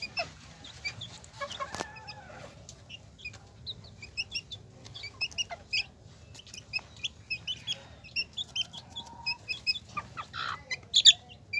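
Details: Chickens, a hen with her brood: many thin, high peeps from the chicks, sparse at first and then thicker and livelier, with a faint lower hen note and a sharp click early on.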